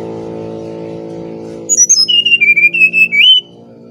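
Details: Brown-chested jungle flycatcher singing in the fluting 'nyuling' style, used as a lure to train other birds. After a steady low hum, clear whistled notes start high, slide downward, then become a quick run of warbling mid-pitched whistles lasting about two seconds.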